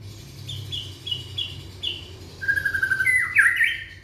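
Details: Young white-rumped shama from Indonesia, song meant to get other shamas singing: a run of short high repeated notes, then a long steady whistle breaking into rapid warbled slurs.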